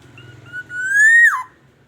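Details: Black-naped oriole from Aceh, recorded as a lure to prompt other orioles to sing, giving one rich fluty whistle that climbs gradually, then swoops steeply down.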